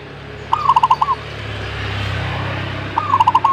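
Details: Perkutut (zebra dove) singing in response: two phrases, each a rising coo then a quick run of about five bubbling pulses. A low rumbling background noise runs throughout.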